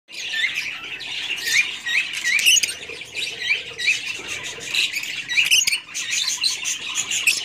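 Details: Kingfisher calling with shrill, scratchy notes around the upper-middle range, given in quick bursts roughly every second, with a dense chattering backdrop of similar high squawks throughout.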